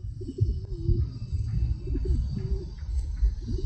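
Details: Pigeons cooing: low, soft, throaty coos that swell and fall, with a steady drawn-out coo near the one-second mark and further short coos later, over a constant low rumble of background noise.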